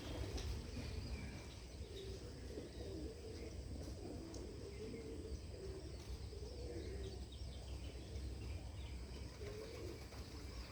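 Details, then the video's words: In farm fields, soft, low cooing phrases recur every few seconds, with faint high twittering of small birds over a steady low rumble of wind. "Birds Twitter"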